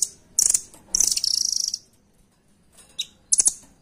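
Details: Nuthatch song in the 'doraemon' style, used as a master recording for training competition birds, described as tight and full power. Very high, sharp bursts, then a fast buzzy trill, a pause, and more brief high notes.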